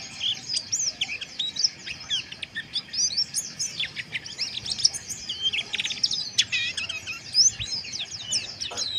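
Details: Harsh white-eye twittering for raising breeding arousal, a continuous jumble of high thin slurred chirps and short buzzy notes at moderate volume over a soft steady hiss.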